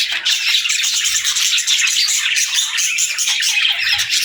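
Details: Morning chorus of captive parakeets and lovebirds: unbroken, busy twittering and harsh little squawks from several birds overlapping throughout, steady in loudness, high-pitched and bright.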